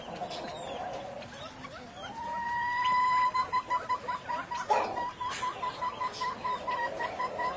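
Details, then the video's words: Grey peacock-pheasant, a ground-dwelling bird of southeast Asia, giving a long steady whistled note that breaks into a fast run of short clipped notes, about three per second, over faint background hiss. "Grey peacock pheasant"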